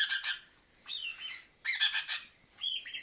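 A young red-rumped parrot gives harsh, buzzy chattering bursts alternating with short slurred whistles, in four quick phrases over three seconds.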